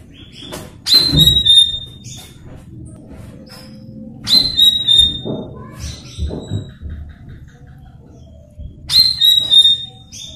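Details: Lure recording of a Blue-winged leafbird for training untrained young birds: three loud phrases of sharp whistles and tumbling, chattering trills, spaced about four seconds apart, with a soft low rumble and thuds underneath.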